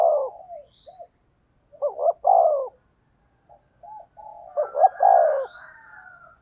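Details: Spotted dove giving thúc gù cooing meant to lure wild doves: low, throaty two-part coos in bursts around two and five seconds, softer mumbled notes between, and faint high chirps from another bird.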